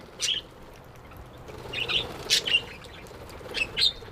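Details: Happy budgerigar giving sparse, short high chirps and squeaky notes in short groups, separated by quiet gaps over a soft background hum.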